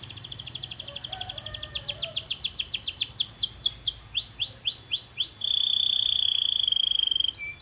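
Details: Canary training song: a rolling trill of rapidly repeated notes growing louder, breaking into sweeping up- and down-slurred whistles, then a long steady buzzy trill.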